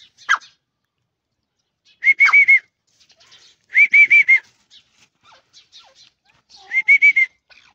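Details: Iranian partridge giving loud ringing calls: bursts of three to four rapid, evenly spaced, level notes with a bright whistled tone, repeated about every two seconds, separated by short silences and faint chirps.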